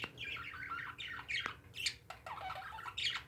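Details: Pet parakeets producing a continuous warbling chatter of buzzy, warbled chirps and higher squeaks, dense and overlapping throughout, with a soft room hum underneath.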